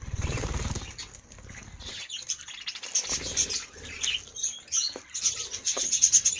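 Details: Coloured budgerigars in an aviary give a constant high chattering warble, many birds calling over one another, with low rumbling handling noise at the start and a few sharp clicks.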